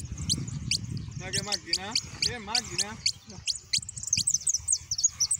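A hooded siskin gives quick, high, sharp notes that run into a thin twittering warble toward the end, while a man speaks over the middle.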